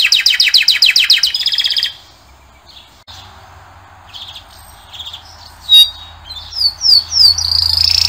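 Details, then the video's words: Male canary singing: a fast series of rapid descending trills around 2 seconds, a pause with low background hum, then scattered short chirps and rising whistled notes toward the end. "Пение канарейки . Певчий кенар."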